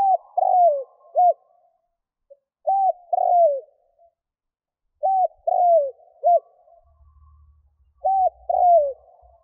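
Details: Spotted dove kept as a decoy, cooing to lure wild doves: four three-part phrases, a short coo, a longer falling coo, then a short coo, repeated every two to three seconds against a quiet background.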